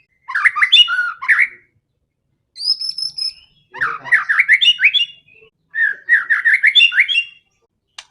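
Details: Aggressive, fighting song of a white-rumped shama meant to rouse rivals: quick bursts of chattering, warbled notes, one high thin whistle, and rapid rising-and-falling phrases, in four segments with silent gaps.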